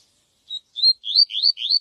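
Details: Viviti-style song of a yellow-bellied seedeater, used to teach young birds: a brief whistled opener followed by a run of rising, slurred whistles repeated roughly every quarter second, clean and dry.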